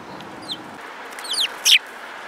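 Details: Several sparrows, filmed on 10 June 2018, give short high downslurred chirps, a few scattered notes followed by a louder clustered burst near the end over low steady hiss.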